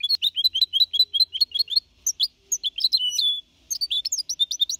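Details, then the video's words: Goldfinch hybrid, 4.5 months old, singing clean in the Malaga copy style, 2021: fast liquid twittering phrases of short high notes, a sustained whistled note near the end, then renewed rapid tinkling trills. "Mixto de Jilguero Cantando Limpio (Copia Malaga)"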